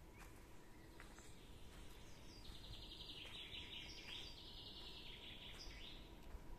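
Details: Nightingales singing in a summer forest, 2022: after a quiet start, one phrase of quick repeated high notes and buzzy trills lasts about three seconds. A faint steady hum and low background rumble run throughout.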